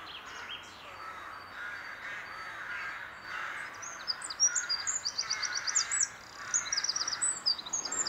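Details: Eurasian wren in April 2021 at Glimmen, quiet opening followed by loud bursts of rapid high trilled notes from about four seconds on, with steady background noise.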